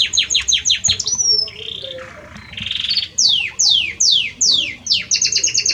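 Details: Belgian canary male singing to the female: quick descending chirps, a soft roll, then slower loud downslurred notes repeated about twice a second, ending in a fast trill.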